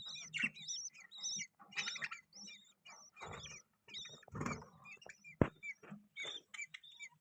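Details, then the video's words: Soft budgerigar chatter of thin repeated whistled chirps and scratchy notes, quieter and patchy, with low rustling and knocking sounds and one sharp click. "Beautiful Budgies Chirping Sound"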